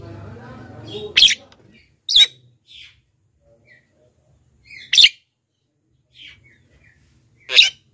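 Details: Black-winged myna lure call played to attract wild birds and young mynas, also used to prompt caged birds to answer: loud harsh broadband shrieks repeated at irregular intervals of one to three seconds, with softer chirps between and a brief low hum at the start.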